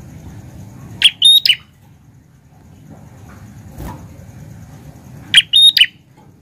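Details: Prinia singing energetically gives two identical sharp phrases about four seconds apart, each a rasping high note, a short steady whistle and a clipped ending note. A faint thud sounds between them over quiet background hum.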